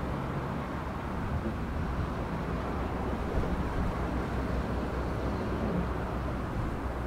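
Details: Steady low rumbling engine or vehicle noise throughout, with no animal calls.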